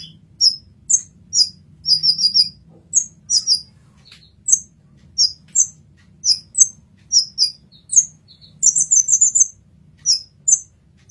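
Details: Olive-backed sunbird, a 'masteran' tutor recording: sharp, high thin chirps repeated roughly every half second, with short rapid twittering bursts near the start and around the ninth second. Faint low hum underneath.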